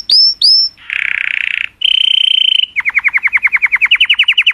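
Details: Color canary in full song meant to stimulate females, opening with two sharp upslurred whistles, then a buzzing trill, a steady pure whistle, and a fast run of repeated descending notes.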